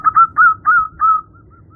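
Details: Zebra dove female calling to attract a male, giving four drawn-out, slightly trilled coos spaced about a third of a second apart, then fading.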